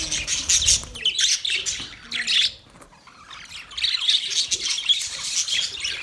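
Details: Male budgerigars give dense, high warbling chirps and squawky notes, pausing briefly midway before the chatter resumes.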